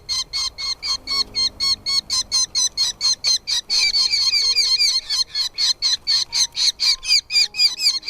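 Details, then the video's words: Falcon chicks in the nest being fed by their mother, giving rapid, strained, squeaky begging calls. The calls repeat about twice a second in a steady, insistent series throughout. "mother birds brings food to feed her chicks in the nest, Falcon babies feeding"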